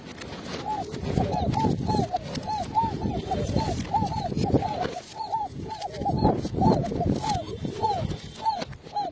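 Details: Arabian trumpeter pigeons, also called khoka pigeons, give rapid overlapping arched coos, many birds calling at once in a dense continuous chorus with low rumbling underneath.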